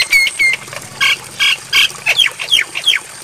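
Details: Javan myna training recording meant to be played at night so caged mynas imitate it: harsh squawks, short whistled notes and a run of sharp downslurred chips.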